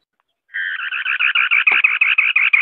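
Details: White-browed scimitar babbler (Pomatorhinus schisticeps) singing: after a brief silence, a loud, fast chattering rattle of about sixteen harsh, buzzy notes in a steady, even series, with no other sounds.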